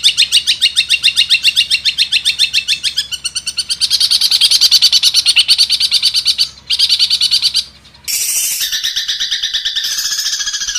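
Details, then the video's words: Long-tailed shrike song in a full fill-in style, used to train other birds: a long fast pulsed trill with a low hum beneath, a short gap, then harsh high chatter. "Masteran burung cendet terbaik full isian."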